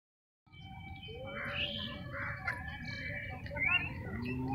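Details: House sparrow near the Ganga at Patna giving short, scattered chirps, one rising sharply near the end, over a steady low rumble of background noise and faint other voices.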